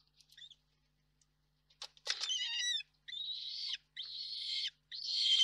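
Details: Peregrine falcon courtship on a carpet-beater frame near the nest site, 19 March 2024: faint clicks, then long harsh, buzzy rasping calls in drawn-out bursts separated by brief gaps, growing louder toward the end.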